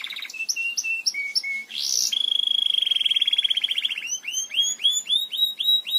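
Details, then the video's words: Singing Belgian canary, a model song for teaching canaries: a few evenly spaced whistled notes, a harsh buzzy burst, a long fast rattling trill on one pitch, then a series of loud rising sweeps repeated about twice a second. "CANTO PARA ENSINAR CANÁRIOS BELGAS"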